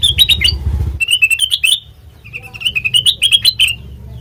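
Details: Sooty-headed bulbul song used as a lure for training birds: choppy chirping phrases split by a short lull, with a brief low rumble at the start.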